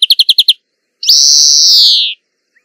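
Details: Singing European greenfinch gives six rapid chirps, then a single long, drawn-out buzzy wheeze that slowly falls in pitch, with no other sounds.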